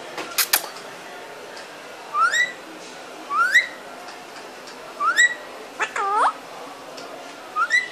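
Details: Parrot repeating a short rising whistle about every one and a half seconds, each sliding up and flattening, with one rounded harmonic voice-like call near the end and soft clicks between.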